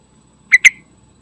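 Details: Sooty-headed bulbul lure call for prompting kept birds to sing: two short, bright, slurred notes in quick succession, the second trailing off briefly, against a near-silent background.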